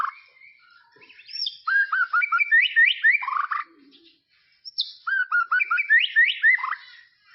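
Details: White-rumped shama, tropical forest, master song for training young birds: a high upslurred whistle followed by bursts of rapid varied whistled notes, two phrases split by a short gap.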